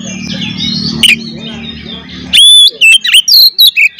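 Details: Oriental magpie-robin in fighting song aimed at rival birds: quiet mixed chirping, then a loud rising whistle and a string of sharp, varied whistled notes spaced roughly a quarter second apart.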